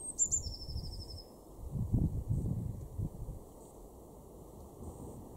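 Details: A Eurasian blue tit in a garden in Weener, East Frisia, northwest Germany, in April 2024, gives a few very high, thin notes, then a quick descending trill of about a dozen tinkling notes, over low wind rumble.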